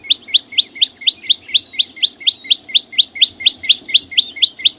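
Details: Song of a green flowerpecker (chim sâu xanh): a steady, rapid run of high, clipped notes, each a quick down-slurred whistle, repeated about twice per second throughout, with faint low background hum.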